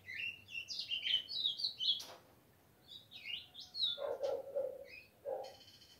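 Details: Caged three-month-old ultramarine grosbeak chick, kept at home and described as full of spirit, delivering bright warbled phrases of rapid rising and falling whistles, a pause, then another burst ending in lower, hoarse notes.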